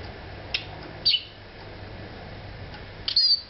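Eurasian siskin giving a few high, thin twittering notes and a short wheezy buzz, in brief bursts over a low hum.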